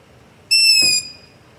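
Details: Single loud, high-pitched squealing begging note of a long-eared owl, about half a second long and steady, recorded in the dark near a house using a ZOOM H5 with LOM Usi Pro.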